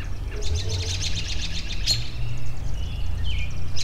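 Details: Wild birds give a scatter of high twittering chirps, then a few clear whistled notes, one sliding downward, over a low rumbling background.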